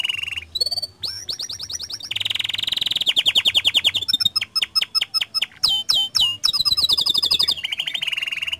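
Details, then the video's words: Canary singing gacor, energetic persistent song used as a lure to get other canaries singing: rapid high trills and buzzy rolling tours, sliding whistles, and clicking pulses in quick, changing sequence. "Pancingan Efektif Banyak Kenari Ikut Gacor Dengan Suara Kicauan Kenari Gacor Ini"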